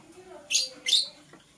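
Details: Two loud, shrill, harsh chirps about a third of a second apart from green and blue masked lovebirds in the morning, over a quiet background.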